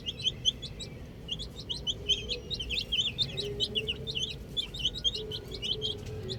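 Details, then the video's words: A group of little chicks playing with a ball keeps up dense, overlapping high peeps and short rising chirps throughout, loud and continuous, with a faint low tone underneath. "Cute Little Chicks Chirping Sounds"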